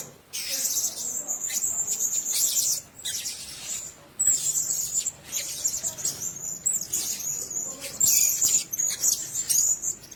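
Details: Blue-crowned hanging parrots at a nest: long stretches of shrill, high twittering chatter broken by short silences.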